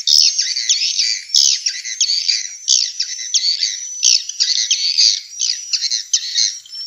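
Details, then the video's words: Swiftlet calls from Vietnam, used to attract swiftlets to bird houses: dense, harsh chirping and twittering in overlapping bursts, with brief sharp clicks cutting through. "Tiếng chim yến kêu đã được chứng minh ||Tiếng chim yến kêu từ Việt Nam"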